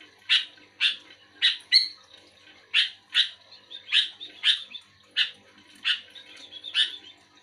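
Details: Sooty-headed bulbul answering another bulbul with evenly spaced, short husky chirps roughly every half second, one brighter double note early on, softer and more distant than full song.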